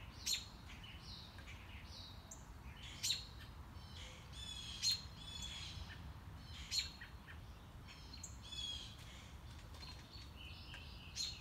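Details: Enthusiastic mockingbird heard during a morning walk, cycling through its repertoire: varied high chirps, short whistles and buzzy notes in quick separate phrases, punctuated by several sharp clicks, with soft background noise.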